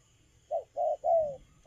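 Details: Young wild-caught spotted dove cooing in the stuttering cà lăm lỡ style while moulting, yet very eager: a brief run of three short, hoarse mid-pitched coo notes, the third longer and sliding downward, then a fourth starting.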